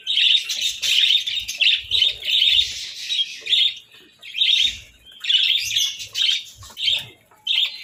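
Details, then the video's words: Pet budgerigars at breakfast on boiled eggs and bread in winter chirp in quick bright strings, a phrase every second or so with brief gaps, and soft taps underneath. "Breakfast Serenade: Budgies' Melodic Chirps over Boiled Eggs and Breads"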